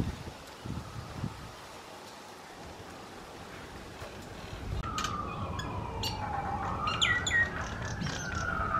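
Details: A pair of common mynas in Herzliya, March 2020, call to each other in loud, sliding whistles that dip and rise, mixed with sharp chirps, after several seconds of quiet outdoor background noise.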